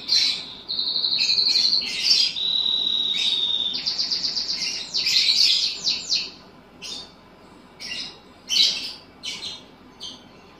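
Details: Singing bulbul, trained to include another bird's song: high, drawn-out whistles followed by fast, stuttering, buzzy trills, then scattered short chirps that grow more spaced out.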